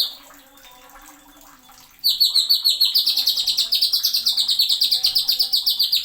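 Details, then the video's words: Greater green leafbird (cucak ijo) singing in the sharp 'nembak' style with 'isian tajam' fill-ins, used as a tutor recording: two quiet seconds, then a fast run of bright, high, chirping notes repeated over two times a second. "CUCAK IJO NEMBAK ISIAN TAJAM"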